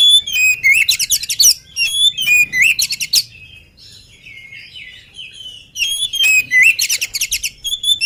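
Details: Unfed, lively oriental magpie-robin delivering energetic song. Loud clusters of whistles and rattling trills give way to a softer warbled passage, then loud singing returns.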